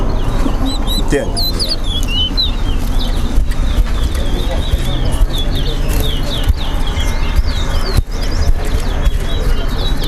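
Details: Caged chestnut-bellied seed finches (towa towa) in a Linden bird club whistling competition, two birds matched: quick, slurred high whistles and rising-falling chirps in dense runs, over a loud crowd murmur and chatter.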